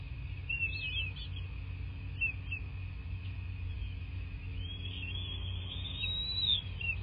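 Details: Bald eagle at the nest in a southwest Florida landscape, nest camera, February 2024 morning: a few faint high chirps early, then one long, slowly rising whistle, with low rumbling throughout.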